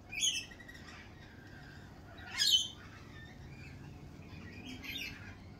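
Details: Lorikeets in spring at a cafe give two sharp, piercing screeches about two seconds apart, with softer chattering squawks between and after them against a quiet low rumble.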